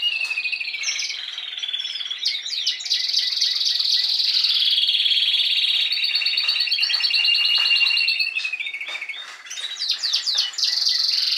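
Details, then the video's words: Spanish timbrado canary from the past season sings a long sequence of high rolling trills and metallic tours, interrupted by brief chips and sweeping notes before a final trill. "Canarios Timbrados cantando"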